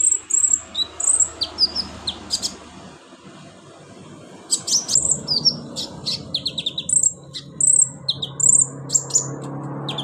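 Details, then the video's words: Sunbird (kolibri ninja) song for prompting a silent caged bird to sing: high thin whistles and rapid chippy notes in broken phrases, some trilled, set against a constant low rumbling hum. "KONIN TERAPI konin malas bunyi Insya Alloh cepat ikut bunyi"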